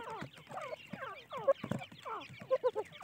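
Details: Francolin chicks, called teetar, give soft descending peeps about once a second, several birds overlapping, with a few louder sharp chirps near the end.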